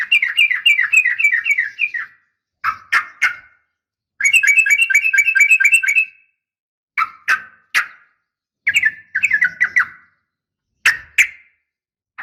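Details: Female sooty-headed bulbul's morning call to males: rapid chattering runs of clipped notes alternate with loud, sharp, scattered downslurred chirps, the rattles repeating after pauses of a few seconds.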